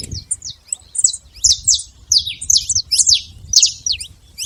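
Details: Wild saffron finch singing free in nature: a string of sharp, high chirps and short downslurred notes in irregular bursts, with a soft low rumble in the background.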